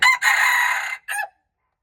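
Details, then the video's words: Crow of a red junglefowl on March 2, 2025. The recording starts on a brief first burst, then a long rasping sustained note and a short separate closing syllable, followed by silence. "red jungle fowl, qaib qus qaib dib txuam txoov"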